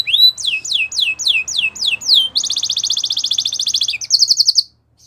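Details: Belgian canary song used for training: a series of slow downslurred whistles about four per second, then a dense buzzy trill, then a shorter bright trill before falling silent.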